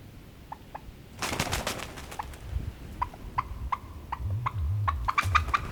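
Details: Turkey giving a short, rattling gobble burst, followed by a series of brief, clipped yelping notes spaced irregularly over several seconds, with a low background rumble.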